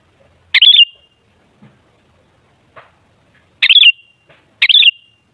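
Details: Sooty-headed bulbul song played as a lure for other bulbuls: three bright, gurgling phrases, the last two a second apart, each finishing in a thin drawn-out whistle, with faint clicks between.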